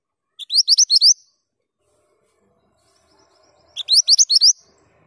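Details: Male Mantenan gunung, singing actively, delivers two matching phrases of rapid, high, upslurred chirps about three seconds apart, with near silence between them.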